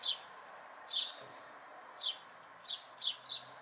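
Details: Fledgling house sparrows watched locally in May 2020, giving six sharp, downslurred chirps spaced unevenly across a few seconds, with quick pairs near the end and faint hiss behind.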